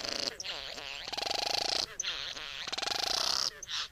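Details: Female Satin Bowerbird courting at the bower, giving harsh, buzzy churring and two bursts of rapid mechanical whirring, each about a second long, separated by hissy, wheezing notes.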